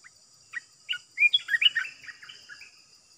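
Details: A caged Olive-winged Bulbul serving as a decoy for trapping gives a few spaced chirps, then a loud, fast cluster of warbled, liquid notes that trails off into softer, falling phrases.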